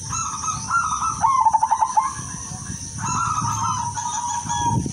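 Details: Female zebra dove of silver colour form, calling to attract males and used as a lure to draw answers: two soft, rolling coo phrases, the first breaking into rapid stuttering pulses, over a steady high-pitched whine.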